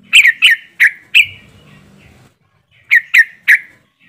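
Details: Yellow-vented bulbuls in a group ('ombyokan'), played to get birds singing quickly: four loud, bright chirps, a quiet gap with faint low rumble, then three more chirps.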